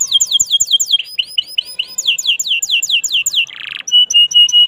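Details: Singing canary on a sunny afternoon, delivering a fast run of sharp descending whistled notes and looping phrases, a short harsh buzz, then clear sustained high piping tones.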